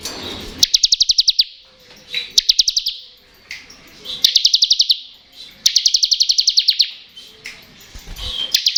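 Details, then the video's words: Repeated ngebren song of a bar-winged prinia, intended to get lazy and untrained birds singing: four rapid bursts of high, sharp, buzzy pulses, each about a second long, separated by short gaps with soft chirps. "Ciblek Ngebren Cocok Untuk Pancingan Ciblek Bahan dan Ciblek Malas Bunyi"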